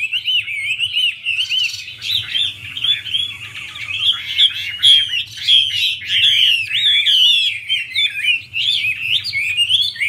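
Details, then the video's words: Chinese hwamei song while a female dances with spread wings to excite the male: continuous rich warbling, fast twisting whistles and sharp chirps running without pause, with a faint low hum beneath. "Họa mi mái múa xòe thúc trống nhanh lên lửa"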